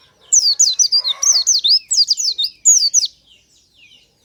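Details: Oriental white-eye singing in the morning, a natural recording used as a lure to prompt other white-eyes: a rapid, bubbly run of high sweeping twitters, about a dozen in two and a half seconds, then a pause and one last note.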